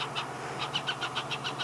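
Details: Hornbill chicks in a nest cavity in a marula tree beg their parents for food at sunset after a parent lands and drops into the nest: rapid, high, squeaky notes, about six or seven a second, over a low engine hum.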